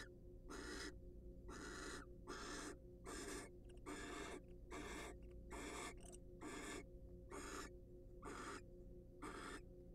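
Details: Wild barn owls in a monitored nest box, calling during a shared preening and courtship session: harsh, breathy broadband hisses, each under half a second, repeated roughly every second in an uneven series over a low steady hum.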